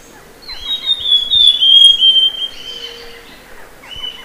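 Amazonian Grosbeak singing a sweet, whistled phrase of high notes that slide gently downward, then a short pause and one more clear note.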